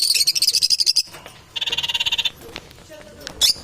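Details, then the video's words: Parrots competing for survival: sharp high chattering notes pulsed rapidly for about a second, then a rasping buzzy burst of repeated pulses, ending with a short shrill squeak. "Competition for survival Parrot"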